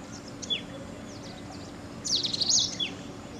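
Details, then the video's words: A male Indian robin near Tirunelveli, India, gives thin, high chirps, then a quick burst of sharp, squeaky notes near the end, over a soft background hum. "Indian Robin Calls"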